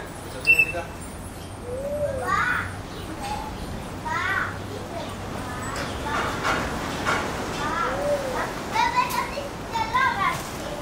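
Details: Coleto at Attica Zoological Park, Athens, giving squeaky, nasal, slightly down-slurred notes every second or two, over the noise of children playing and talking.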